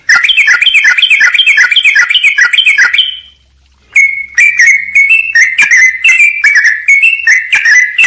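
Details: Sooty-headed bulbul singing hard on a tutor recording full of phrases: three seconds of rapid clipped whistles, a short silence, then spaced slurred whistles at a slower steady pace.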